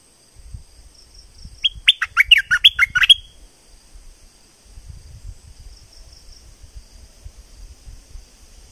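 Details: Streak-eared bulbul, southern Thailand, singing strongly: a single tight burst of about eight sharp, falling chirps lasting around a second and a half, surrounded by long quiet stretches with soft low rustling.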